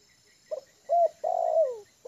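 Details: Tame spotted dove kept for luring, at ease on yard ground, calls a soft clipped note followed by a two-part coo and a long coo sliding down, with the next phrase just beginning.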